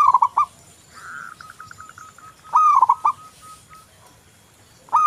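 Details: Persistent song of a local zebra dove: loud stuttered phrases of clipped coos roughly every two and a half seconds, with a softer, even run of rapid notes in between.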